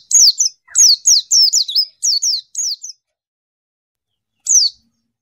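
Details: White-eye challenging a rival with a quick string of about eight piercing, falling chirps, then a gap of silence before one last chirp; clear, close recording.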